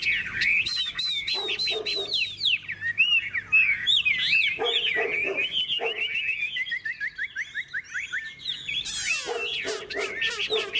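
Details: Hwamei, a bright golden bird with a big tail that flicks its wings, gives contest fighting song: rapid looping whistled phrases, rising and falling, broken by harsh rasping bursts.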